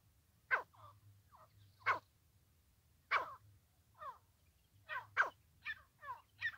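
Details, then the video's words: Francolin calling during trapping, loud harsh rasping notes at uneven gaps, then a quicker cluster of scratchy calls near the end, over a low hum. "teetar voice. francolin voice"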